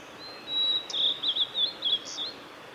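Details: Male blue-and-white flycatcher singing on a forest road at Lake Miyagase, Japan, 17 May 2020: a thin high whistle leads into a quick string of warbled, slurred notes and short trills, fading out after about two seconds.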